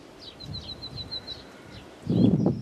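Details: Common nightingale singing a quick string of thin, even, high notes, after which a loud low rustling noise briefly covers the song.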